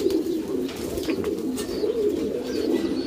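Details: Domestic pouter pigeons, a fancy breed of rock dove with an inflatable crop, kept in a loft; low, continuous overlapping cooing murmurs throughout, with faint higher rustles and clicks from the room.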